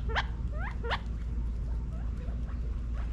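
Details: California quail feeding in a Las Vegas, Nevada back yard during fall 2022: a few loud, sharp upward-sweeping chirps at the start, followed by fainter scattered notes over a low steady hum.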